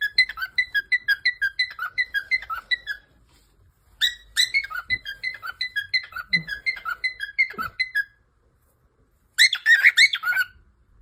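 A cockatiel sings rapid, bright chirping whistles in bursts, mimicking a phone notification tone.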